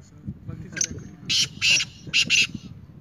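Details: Black francolin uttering a rhythmic run of four harsh, scratchy notes in two pairs, preceded by softer squeaks, with steady low-pitched background noise throughout.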